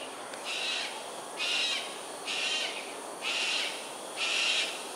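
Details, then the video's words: Cockatoos in aerial display over Sungei Ulu Pandan, Singapore, 7.43am on 13 January 2022: five harsh, raspy screeches, each about a third of a second, repeated roughly once a second with steady spacing over faint background hiss. "Cockatoos "Aerial Display""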